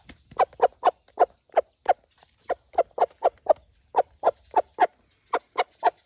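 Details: Pet Araucana chicken at home, one of several call types it uses in different situations: short, clipped mid-pitched clucks in loose bursts of two or three, about twenty notes over six seconds, with quiet background.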